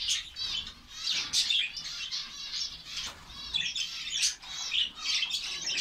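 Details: Saudi Arabian finch colony giving a busy chatter of thin, rapid chirps and warbling trills. Several loud bursts rise above the constant high-pitched background of overlapping calls.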